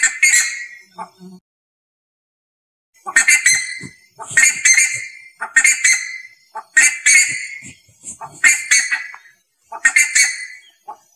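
An ibis gives harsh, nasal, honking calls in short bursts about every two seconds, after an opening call and a brief pause.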